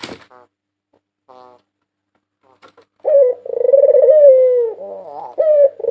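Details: Faint short notes give way to a loud rolling coo from a white dove, the 2022 national champion. The voice is a steady trilled tone that slowly falls, then picks up again in a fresh burst.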